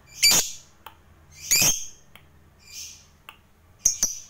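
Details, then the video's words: Lovebird, a lure recording meant to set other lovebirds singing: harsh, high squawking bursts about once a second, mixed with fainter chirps and a low background hum. "BANYAK LOVEBIRD LANGSUNG BUNYI, Setelah DI RANGSANG Dengan Suara Lovebird ini"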